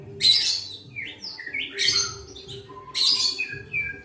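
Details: Hand-reared captive white-rumped shama at the pastol stage gives three bright song bursts. Each is a dense high chatter followed by clear whistles that slide up and down, with a soft low hum underneath.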